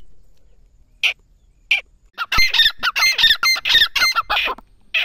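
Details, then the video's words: Calling grey francolin: two isolated rasping notes, then a burst of loud, rapid, harsh grating phrases with shrill whistled overtones, delivered in a quick uneven series, with a faint low hum behind. "Teetar sound| teetar ke awaz| teetar ke boli | bhory teetar ke masti"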